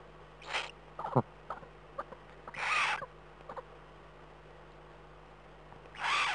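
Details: Eurasian eagle-owl wheezing at night in the Eifel, 11 April 2012 at 03:39: three harsh, airy hissing bursts roughly every two and a half to three seconds, with scattered short clicks and knocks between them.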